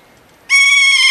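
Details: Kea, the wild alpine parrot, calling at night near Franz Josef Glacier on New Zealand's South Island in 2006. After near silence, a single loud, steady cry with rich harmonics starts abruptly and holds one pitch without a break.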